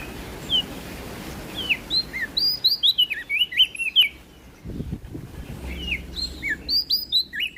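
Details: Prinia from West Nusa Tenggara in 'gacor ngeplong' song: chains of quick, high, downward-slurred whistles, a short pause with a faint knock, then another string of sharp notes.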